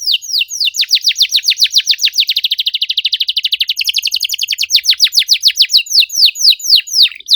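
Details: Canary, a caged songbird used as a bait song to prompt silent canaries to sing, pouring out a fast, loud series of high, downward-swept chirps that speed into a dense rapid trill and then slow again into spaced notes.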